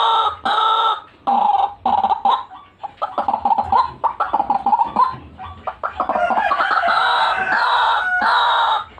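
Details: White-breasted waterhen, gacoran-style calling used as a bird lure: bursts of loud nasal croaks, a run of quick clucking chatter, then a sustained harsh rasping stretch.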